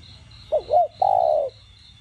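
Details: A single spotted dove phrase in the 'đồng gù' plus 'thúc' style, played to rouse captive doves: a quick double-looped note, then one drawn-out, level coo about half a second long, with a faint rhythmic insect chirr behind.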